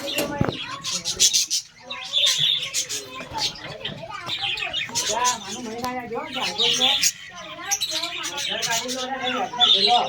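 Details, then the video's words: Australian parrots calling as a colony: many voices in constant chirping, looped warbling phrases and short squawks, with a sharp tick at the start. "Australian Parrots Colony"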